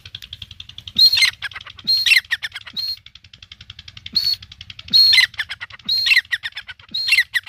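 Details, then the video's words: Iranian partridge (teetar) calling in a city, loud harsh squawking phrases with a clear high note, repeated roughly once a second in bursts, with a low engine-like hum underneath. "irani Teetar ki awaaz |city per bolnae wala Teetar ki Awaz |Teetar sound"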